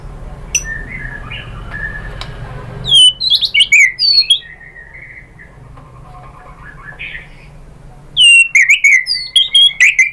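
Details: White-rumped shama song meant to make other shamas answer: clear whistled phrases and sharp high notes in two bursts, around three and eight seconds, separated by a quieter stretch of low rumbling background noise.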